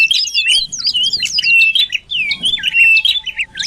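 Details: Sirtu cipoh (common iora) lure sound for drawing birds in: a rapid jumble of twisting chirps and short slurred whistles that pauses briefly midway, then resumes in quick varied notes.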